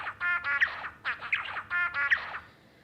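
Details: A male zebra finch, a captive lab bird, sings his courtship song to a female: one short learned motif repeated about three times, roughly every 0.75 seconds, each a run of nasal, buzzy, harmonic notes ending in a sharp higher chip.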